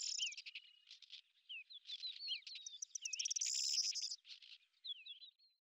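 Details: Scratchy, chattering warble of a lesser grey shrike in Azerbaijan, with twisting whistled notes and a fast buzzing rattle in the middle, then scattered softer notes.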